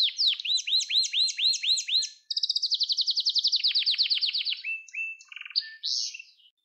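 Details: Canary song recorded for training young canaries to sing: rapid repeated rising-falling whistled syllables, then a fast buzzy trill, then short varied notes and low rattles, all high and clean with no other sounds.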